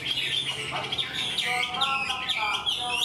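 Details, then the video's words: Wild-caught Chinese hwamei kept in a cage, singing a full, tame-like song: a continuous stream of bright whistled slurs and trills, some notes dipping and rising, with a few lower nasal notes mixed in. "Họa mi mộc mau mỏ hót bài bản như chim thuần"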